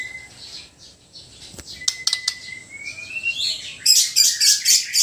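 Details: White-rumped shama from Sabah, Borneo: a brief whistle, sharp clicks, then a long, slowly rising whistle leading into rapid, loud, harsh notes repeated about four times a second.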